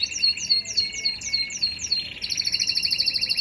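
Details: Canary singing: repeated rising high chirps at a quick pace, then a rapid, even trill of bright notes in the second half.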